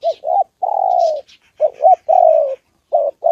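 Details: Spotted dove, a decoy meeting a wild bird and a female on 2 September. It gives husky low coos, short notes followed by long level-to-falling ones, while small birds chirp faintly and high in the background.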